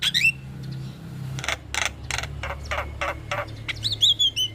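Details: Starling vocalizing in a recording used to trigger silent starlings: a high whistled slur, a string of rhythmic harsh rasps over a low steady hum, ending in wavering whistled notes.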